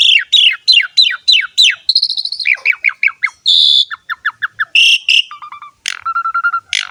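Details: Javan pied starling ngerek song: a string of loud downslurred whistled notes about every third of a second, a steady buzzy tone, further falling notes and a low repeated rattle.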